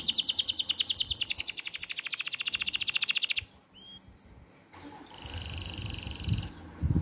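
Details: Canary singing to call the female: a fast buzzy trill for three seconds, a short pause with a few clear slurred whistles, then a sustained high rolling note.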